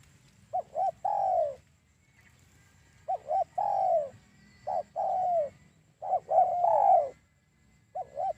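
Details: Spotted dove lure call for trapping doves: quick paired notes followed by a falling drawn-out coo, four phrases separated by short pauses, with a soft high-pitched background tone.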